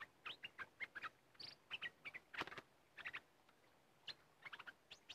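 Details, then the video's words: Red-whiskered bulbul described as fierce, recorded during bird-decoy trapping: bursts of short, bright whistled and chirped notes, some rising or falling, in quick clusters separated by brief pauses over a quiet background. "Burung merbah lekir bay hoach thom Gacor"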